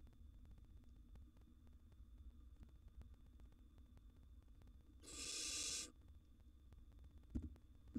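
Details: Wild barn owl siblings in a nest box vying for food: a long stretch of low electrical hum, one rasping hiss of under a second midway, then a sharp knock near the end.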